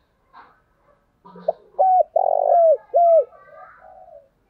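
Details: Decoy spotted dove calling to attract wild doves. A brief lead-in note comes before three low coos, and the middle coo is longest and loudest. Faint chirping of other birds is heard behind.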